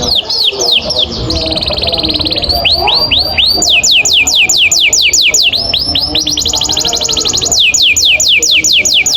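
A canary sings a long, fast, high-pitched roll: rapid descending sweeping notes in unbroken trills, shifting between tours every second or two.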